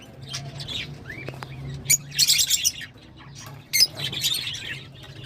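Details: Scattered lovebird calls: a thin rising whistle, then clusters of sharp high squeaks and a harsh chattering burst, over a noticeable low hum and background noise.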